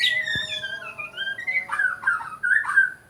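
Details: Sabah, Borneo white-crowned shama giving clear sliding whistles that fall and then rise, followed by quick warbled notes ending on a sustained bright whistle.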